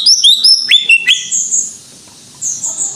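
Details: Greater green leafbird giving 'gacor' song: quick high whistled flourishes and downward slurs in the first second, then quiet, then a few soft, high buzzy notes.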